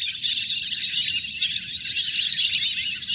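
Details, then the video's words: Ducks, a big flock playing in water, recorded naturally for luring birds to land; a thick wall of high, squeaky chattering calls over a low steady rumble. "เสียงนกเป็ดน้ำ! ฝูงใหญ่เสียงคมชัดมาก สำหรับต่อเรียกนกให้ลง"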